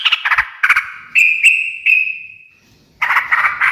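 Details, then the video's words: Sooty-headed bulbul chattering in the ngekek style that makes other birds answer immediately; several clipped notes, a long ringing whistled tone fading away, then a fresh bubbly burst. "kicau suara trucukan gacor ngekek garuda menjadikan burung nyaut seketika"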